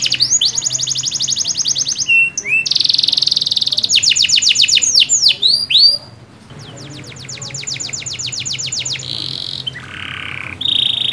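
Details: Canary in full song, used to encourage a non-singing canary; quick metallic trills, curved whistled sweeps and a lower buzzy roll near the end, with a short pause midway.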